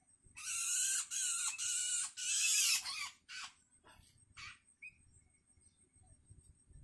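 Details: A hungry long-tailed shrike chick, learning to call, begs its parent with a run of four loud, rasping screeches in quick succession, then fading shorter rasps and a brief high whistle.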